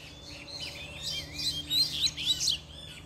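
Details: Double-collared seedeater stirred up by a female showing up, singing fast: high whistled slurs and sharp chips tumbling quickly, growing louder toward the end, with a low background hum.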